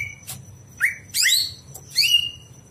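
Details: Night song of a greater green leafbird meant for tutoring other birds: a short whistle, then bright descending slurred whistles in separated phrases, with a constant high thin tone and low background hum.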